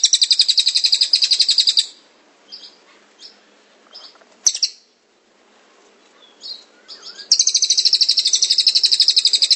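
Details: Cililin delivering fast high rattling trills at the start and end, with scattered short chirps and a sharp note between the bursts.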